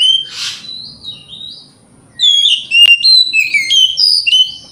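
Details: Oriental magpie-robin song for provoking other magpie-robins: an early harsh burst and soft whistles, a lull, then a sharp click followed by quick varied whistled notes.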